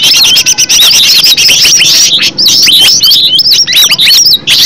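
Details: Green leafbird song in a natural recording used as a lure to set other leafbirds singing: loud, rapid, high whistled phrases with looping up-and-down notes and sharp chips, delivered almost without pause.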